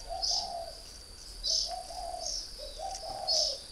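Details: Soft, deep coos from a caged northern Vietnamese spotted dove used three years as a decoy: two short mellow phrases in quick succession, overlaid by loud high-pitched chirps and a faint continuous whine.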